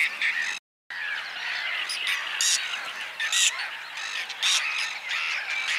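Whiskered terns give harsh, rasping, grating calls that overlap almost without pause, as if several birds are calling at once.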